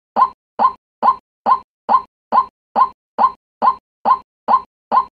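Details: White-breasted waterhen lure call: a harsh, croaking kwak note, repeated identically about twice a second, twelve times in a steady loop.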